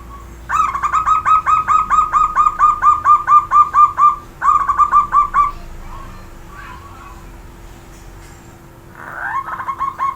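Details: Zebra dove giving a loud, powerful cooing song: a fast run of about fifteen short, evenly spaced, mellow notes, then a brief pause and six more, followed by quieter chirps from other birds and a steady low hum.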